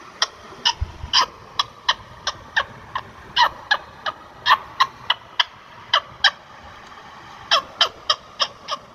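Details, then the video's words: Indian ringneck parakeet making a long series of sharp, dry clicks or chips, irregularly spaced at about three per second, against quiet room noise. "Indian Ringneck Parrot Sound"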